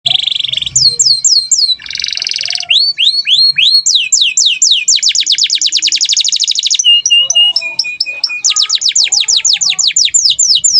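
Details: Canary singing energetically as a model for other birds: buzzy tones, looping upslurs, a long fast trill of steep notes, flat whistles and another quick run of descending notes.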